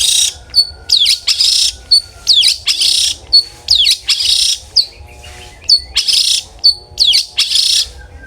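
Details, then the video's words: Long-tailed shrike in loud, open 'ngeplong' song, used as a lure so other shrikes sing often: harsh, buzzy bursts alternate with short high whistled notes and sharp downward chips in an irregular, lively sequence. "cendet gacor NGEPLONG sangat ampuh buat PANCINGAN cendet agar RAJIN BUNYI"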